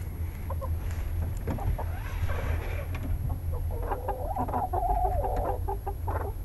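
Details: Coop chickens at night while going to roost, murmuring softly, then a wavering, drawn-out trilling chatter near the end, over a low droning hum.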